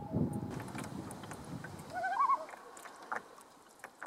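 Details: Common loon (Gavia immer) on a lake in Nova Scotia, tremolo given when alarmed or announcing presence: brief rapidly quavering laugh-like note of about half a second, over low rumbling water and boat noise; finding: Common Loon.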